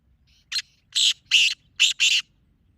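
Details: Francolin lure sound from a black francolin: a short clipped note followed by four longer grating, buzzy notes, the final two close together, all loud and clear.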